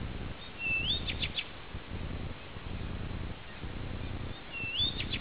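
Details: Blyth's reed warbler at Peränne, Ähtäri, singing on a summer night, 11 June: two phrases several seconds apart, each a rising whistle ending in a short burst of ticks, against a low continuous hum.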